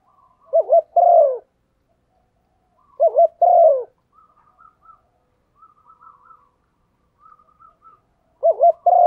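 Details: Hen spotted dove's coo to stir a male: wavering double note plus long falling coo, repeated about every three to four seconds, with faint chirpy notes in the pauses.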